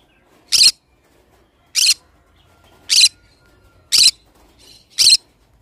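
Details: Sharp, rasping screams from a pineapple-colored green-cheeked conure kept as a pet, five evenly spaced bursts about one second apart, each brief and piercing, in a quiet indoor setting.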